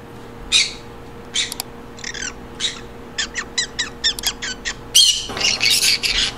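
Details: Green conure chattering in a quick series of short, buzzy notes, roughly two per second, building to a dense burst of harsh squawking at the end; steady low hum indoors.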